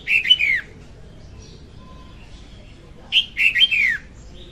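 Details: Female red-whiskered bulbul song used as a trapping lure; a short descending warbled phrase opens, then after a pause a longer phrase of four liquid, slurred notes.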